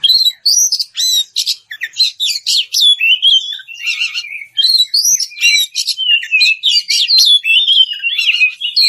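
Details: Loud open-voiced kacer (Oriental magpie-robin) song aimed at a rival bird: steady stream of varied whistled phrases, sharp chips and warbled slurs, delivered energetically without pauses.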